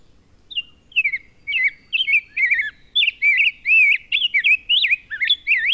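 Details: Rose-breasted Grosbeak, a spring migrant passing through southern Quebec, sings a rich, sweet warble of quick rising and falling phrases, robin-like but smoother and faster, in a clean recording; it is often confused with an American Robin.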